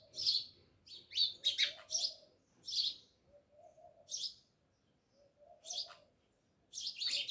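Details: Several house sparrows living near a village house in Jamnagar, chirping in bursts of short, bright, metallic chirps, clustered at the start and again near the end, with a soft low warbling underneath between calls.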